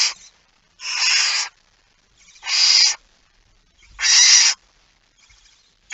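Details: At a barn owl nest around feeding time on a September 2019 dawn, long rasping hisses of almost a second each repeat roughly every one and a half seconds against a quiet background.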